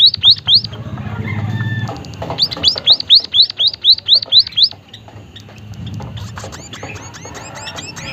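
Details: White-headed munia, chattering: a burst of hooked, high whistled notes, a pause, then a long run of about ten rising-and-falling notes, then softer, mixed high chirps over a low background hum.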